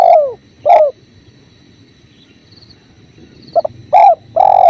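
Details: Spotted dove (tekukur) masteran with river flow: a descending mellow coo and a second coo open the clip, then after a quiet gap of flowing water a short note and two fuller hollow coos follow.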